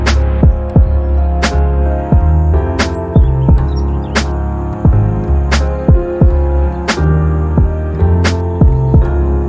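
Instrumental music with a deep sustained hum and sharp percussive beats about every second, steady rhythm throughout, and no animal sound.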